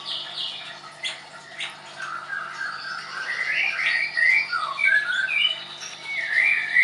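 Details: Caged White-rumped shama kept at a songbird school in Tangerang, Indonesia, delivering a rich sequence of bright whistled phrases, some rising and some falling, over a steady faint room hum.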